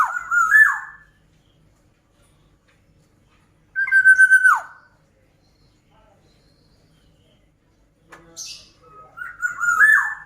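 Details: An energetic black-naped oriole gives three phrases several seconds apart. Rich whistled notes end in abrupt downward slurs, and the last phrase begins with a brief scratchy sound before the fluty whistle.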